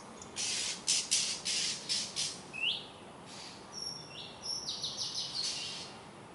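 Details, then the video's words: Night screaming from an Oriental Magpie Robin: a quick run of about eight rasping, scratchy notes, followed by a rising whistle and several level, high whistled notes mixed with more rasps. "Oriental Magpie Robin bird night screaming"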